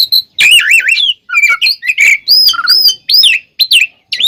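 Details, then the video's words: Kacer, the oriental magpie-robin, giving its fighting song to provoke rivals: rich wavering warbles, rapid twittered notes and clear upslurred whistles in a nearly continuous loud stream. "SUARA BURUNG kacer gacor NGEPLONG tarung KONSLET ini paling AMPUH buat PANCINGAN KACER agar EMOSI"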